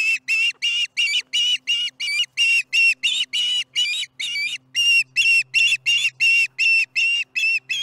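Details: Osprey calling through its meal at the Charlo nest on a July 2019 afternoon: some twenty loud, shrill chirps in quick, slightly uneven succession, with a faint low hum behind.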